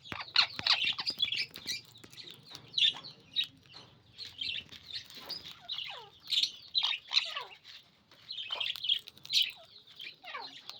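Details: Sun conure (Aratinga solstitialis) gives harsh, high screeches and squawks in quick, uneven bursts.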